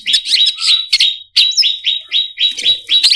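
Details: Greater green leafbird singing a lure song for competition birds. Repeated whistled phrases with downward slurs come about every quarter second, broken by one short gap, with faint low noise near the end.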